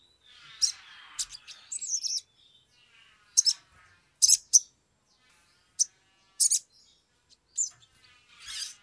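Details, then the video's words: Agitated Sumatran leafbird singing, recorded as a lure to get birds singing quickly: a lively mix of high chirps, buzzes and clicks coming in clusters, with a soft rasping undertone and brief quiet gaps. "pancingan sogok ontong atau SOGON biar cepat bunyi, suara asli"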